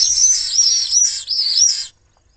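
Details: Common swift at a webcam nest of three chicks in Jerez de la Frontera, Spain, attacked by an intruder while the parents were away: a continuous high, shrill screaming trill with slightly wavering pitch, about two seconds, stopping abruptly.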